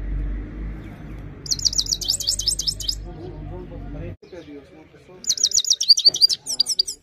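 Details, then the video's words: Himalayan goldfinch singing fast, high, tinkling twitters in two bursts, with a low rumble and faint voices in the background. "himalayan gold finch clean voice singing"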